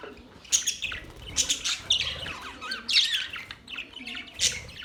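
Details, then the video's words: Budgerigars chirping: a busy stream of scratchy, warbling chirps and squawks, overlapping and irregular, with brief louder bursts roughly every half second and no other clear sounds. "Beautiful budgies Birds chirping sounds"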